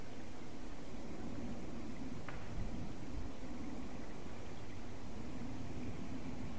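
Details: Constant low rumble and hiss with one faint click midway, no animal calls.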